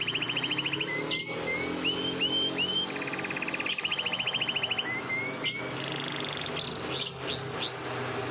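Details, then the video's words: Canary in the morning, long rolling song: pulsed trills alternating with short upswept whistles and rising chirp series, broken by sharp clicks, with a steady low hum behind. "BURUNG KENARI NGEROL PANJANG // DI PAGI HARI"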